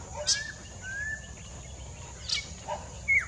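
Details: Collared Palm-Thrush, a ringed bird, singing near Mida Creek: a few drawn-out whistles and a loud slurred note at the end, mixed with other high chirps and constant background hiss.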